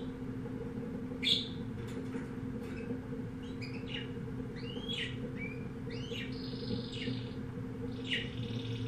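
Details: Pet canary from a pet shop, type unknown: sparse, short chirps and brief rising whistled notes spaced apart, softer than full song, with a steady low hum throughout.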